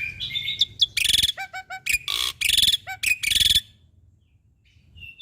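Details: Black-winged starling (jalak putih) singing actively for caged-bird training: a varied run of harsh grating bursts, squeaky notes, and clear whistles that ends in quiet with one soft whistle.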